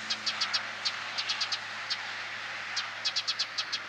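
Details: Eurasian tree sparrow (Passer montanus) holding a ladybug in its beak, Mazovia Province, Poland, July 2015; sharp, short high chirps given in quick bursts of three or four, separated by brief pauses, over a soft steady hiss.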